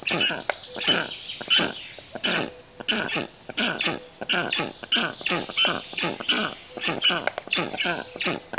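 Black storks giving harsh, wheezy, rasping bursts, repeated a little more than once a second, with a brief high thin whistle at the start.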